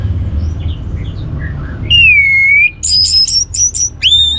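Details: Anis merah, the orange-headed thrush, singing as a lure to stimulate other birds: soft scattered notes, then a loud sustained falling whistle, a stuttered series of very high notes, and a final rising whistle, over low hum.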